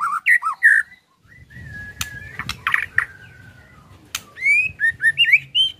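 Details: White-rumped shama song in ketrekan style, used as a lure to make other shamas sing. Whistled phrases open and close the passage, with a long thin whistle, sharp clicks and low background rumble between.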